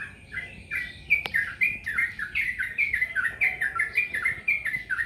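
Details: Yellow-vented bulbul song: a steady stream of lively, warbling slurred notes that rise and fall, delivered in quick succession with little break, over a soft constant hiss.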